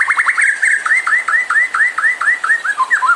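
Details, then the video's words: White-rumped shama song aimed at provoking other birds to sing: a continuous run of mellow, arching whistled notes, repeated quickly and evenly, with a slight dip near the end. "PANCINGAN MURAI BIKIN CEPAT EMOSI | SHAMA BIRD"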